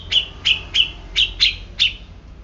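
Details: Grey-cheeked bulbul, reportedly a quiet bird suddenly worked up, uttering six short, bright chirps, each dropping in pitch, spaced about every third of a second over a low steady hum.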